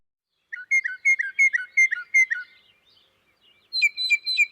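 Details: Northern Mockingbird singing a mix of imitations of other birds' songs and its own phrases: a quick run of about ten bright, chirped notes, a pause, then a higher buzzy burst of repeated strident notes.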